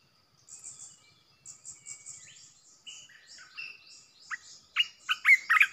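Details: Red-whiskered bulbul decoy song meant to provoke other bulbuls: loud, bubbly, warbled whistled phrases building toward the end, over a steady backdrop of thin, high chirps.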